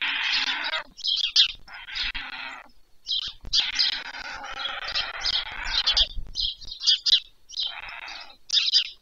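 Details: White stork chicks on a nest at supper time, village of Leliaky near Pyriatynskyi National Nature Park, Poltava region, Ukraine, 21 July 2024, give harsh, wheezy, hissing bursts of one to two seconds in quick succession.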